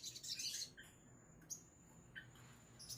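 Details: Sogon songbird singing, with a dense burst of high, scratchy chirps and twitters in the first part, then scattered short high notes over a steady low hum.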